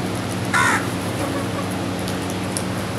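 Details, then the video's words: One brief grating caw from a group of crows eating together, then only a soft background hum with scattered light ticks. "Crows are eating and sounding together"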